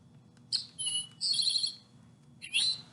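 An Eastern Towhee gives three bright, high bursts: a sharp note, a longer buzzy trill, then a final rising burst. A low background rumble is also heard.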